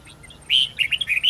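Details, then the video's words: Red-whiskered bulbul singing a wild forest-voice song with long, twisting notes, used to train young birds: after faint chirps, a bright drawn-out whistle followed by a quick run of warbled, bouncing notes. "Chào mào hót giọng rừng âm dài xoắn cực hay/Dùng luyện chào mào non,má trắng học giọng rừng"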